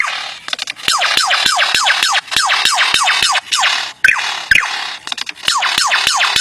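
A lyrebird mimics laser-like sound effects: quick falling 'pew' sweeps, about three per second, mixed with sharp clicks and snaps.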